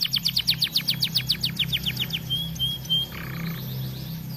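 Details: Energetic 'gacor' canary repeats a steady rapid series of high down-slurred notes, about five per second, then drawn-out whistles and a short buzzy burst, over low background hum.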